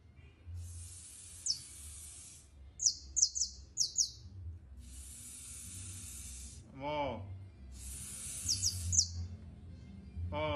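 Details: Competition canary delivering long, high rolling trills and sharp descending note series, with short gaps between phrases; a human voice briefly interrupts twice over a low hum.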